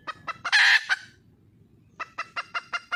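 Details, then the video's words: Wild hen calling to a male: a few clucks lead into a loud grating squawk, a short silence, then a fresh series of rhythmic clucks. "le bruit d'une poule sauvage,เสียงไก่ป่าร้องหาถู่หาตัวผู้,ສຽງໄກ່ປ່າຮ້ອງຫາຄູ່ຮັກ, poj qaib qus see"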